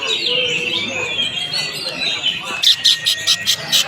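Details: Greater green leafbird singing: drawn-out, wavering whistled phrases, then a fast series of sharp, evenly repeated chips.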